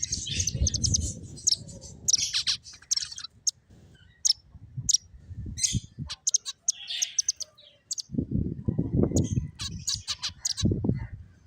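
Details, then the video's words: Several finches chirping while playing: bursts of short, bright, high chirps and twittery notes in uneven clusters, over low thumping and rustling noises from movement. "Cute Finches Chirping Sounds"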